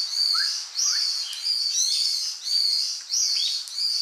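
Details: Ryukyu brown-eared bulbul on Miyako Island gives loud, shrill, high calls about every second, each a sharp slurred note over a steady piercing tone, with a few lower chirps between.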